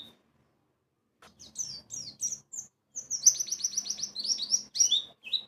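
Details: White-eye lure sound meant to draw song from other white-eyes: after a silent start, high twittering notes build into a dense, rapid trill of sharp chirps, some buzzy, continuing to the end.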